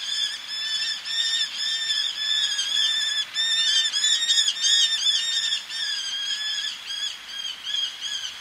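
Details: Eleonora's falcon, a male calling close up with females calling from ledges above the sea: a long, hurried series of nasal, ringing kek notes, overlapping voices building to a dense chatter midway, then easing off.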